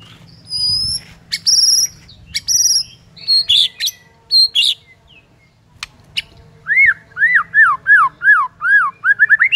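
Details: White-rumped shama singing in the morning to provoke rival birds: loud, varied phrases of high harmonic notes and buzzy bursts, then a quick run of rising-and-falling whistled arcs.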